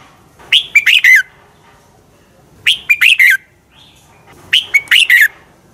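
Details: Red-whiskered bulbul singing its competitive morning song, meant to spur trained birds. Three short, loud phrases of clipped whistled notes come about every two seconds, each ending in a downward slur. Little else is heard.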